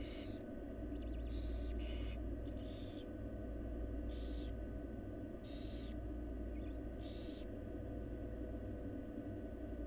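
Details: At a Florida nest box of wild barn owls with newly hatched nestlings, harsh breathy hisses come in repeated bursts about a second apart, above a loud constant low drone.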